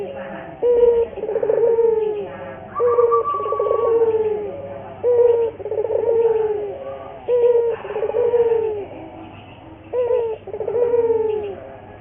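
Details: Local collared dove (puter) cooing, used as a lure to train other puter doves to sing often; low, hollow coos with a rolling, purring phrase repeated roughly every two seconds over a steady low hum.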